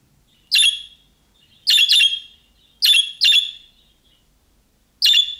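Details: Budgerigar calling in the style of young birds to get other budgerigars to respond. Six sharp, raspy chirps, mostly in quick pairs, separated by clean silence.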